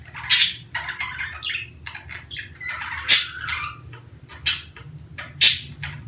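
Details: Budgerigars in breeding season, played to help females lay eggs quickly; quiet scratchy warbling punctuated by four loud sharp squawks about a second apart, low hum throughout.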